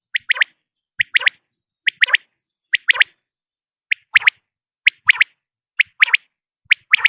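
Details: Common quail, recorded for luring quail in hunting, giving its crisp three-note phrase of sharp, quick notes, repeated steadily about once a second over a clean, quiet background.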